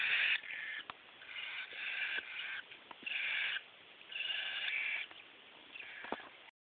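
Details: Cockatiel chicks, three siblings aged 9, 11 and 13 days, beg ahead of handfeeding in a cellphone recording: quieter, broken hissing rasps in short bursts, with scattered clicks and taps between them.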